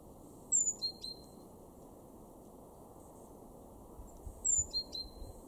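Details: Great tit in a garden in Weener, East Frisia, northwest Germany, in March, giving a thin high note that drops to a steady lower whistle, repeated about every four seconds over a low steady rumble.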